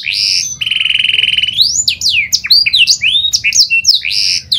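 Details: Panda canary singing vigorously, used as a lure to get other canaries singing: loud buzzy rolling trill, a long fast rattle, then a rush of sweeping rising and falling whistles ending in another buzzy roll.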